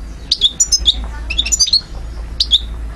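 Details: European goldfinch recorded in Algeria in 2012, delivering quick clusters of clear, high liquid notes, a brief pause, then another pair of bright twitters over a low background hum.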